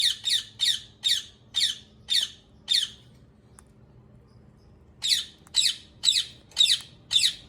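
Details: Rose-ringed parakeet giving loud, harsh screeching squawks centred high in pitch, six in quick succession, a pause of about two seconds, then six more, each call short and rasping.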